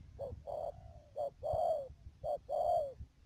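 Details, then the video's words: Decoy spotted dove, Đầm Dơi, Cà Mau, Vietnam, 12 March 2019: three paired coos, each a short note then a fuller, longer note that drops in pitch at its end, with low thumping noise behind. "BẪY CHIM CU GÁY CÀ MAU .BỔI MƯƠNG ĐIỀU"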